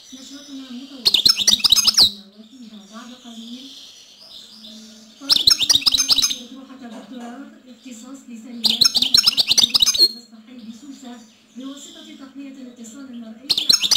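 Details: European goldfinch singing in four loud bursts of rapid, twittering, buzzy high notes, with softer tinkling phrases between them and a man's voice talking steadily underneath throughout.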